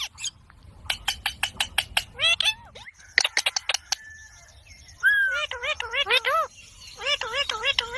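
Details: Talking green pet parrot: quick series of sharp clicks and short notes, then a bent whistle and a string of looping arched harmonic calls in regular succession.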